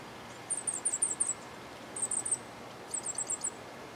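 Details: Cuban grassquit performing the hammer and bell song style: three phrases of high, metallic, tapping notes, the first of about six notes, then shorter groups of four and five, separated by brief pauses.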